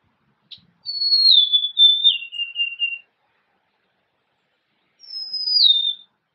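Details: Golden-crowned sparrow song: plaintive whistled notes descending in steps, each a little lower than the last, then after a pause a single high whistle sliding downward. The setting is otherwise silent.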